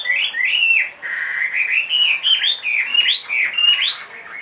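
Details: Chinese hwamei in a cage, big-bodied and two and a half years old, said to sing anywhere: rich, loud, slurred whistles rise and fall in a continuous flowing phrase.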